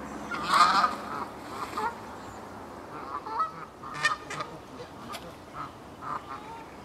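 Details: Canada geese (Branta canadensis) in Herten castle park, Germany, give a string of loud, nasal honks, several birds calling irregularly over a few seconds against faint background noise.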